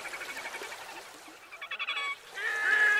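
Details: Red-necked grebes calling during fighting and courtship display, harsh braying notes with rapid pulsed chattering around the middle and a drawn-out squealing wail at the end.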